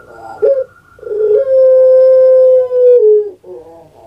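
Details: Kept puter pelung dove, Java, Indonesia, opens with a brief gurgle and clipped kuk, then a long, level, sustained coo that sinks slightly at its end, followed by a softer rolling note.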